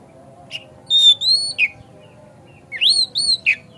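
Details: White-rumped shama song played to provoke a kacer into singing and opening its tail: clear high whistles and sharp rising and falling notes in short bursts separated by pauses, over a faint steady hum.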